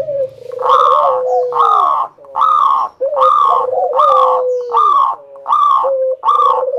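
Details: Lure recording of local Indonesian zebra doves meant to set other doves singing: loud, harsh coo phrases repeated steadily over a low sliding tone, nearly continuous.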